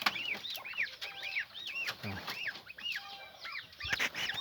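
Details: Several young peafowl chirping: bright arched notes, rising and falling, tumbling over one another in a fast, uneven stream, with occasional sharp clicks and a brief low thump.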